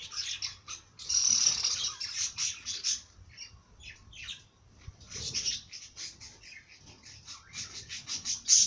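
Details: Bird song made of steady runs of bright, high chirps, rising to a dense trilled burst early, then pausing briefly before more evenly spaced notes continue.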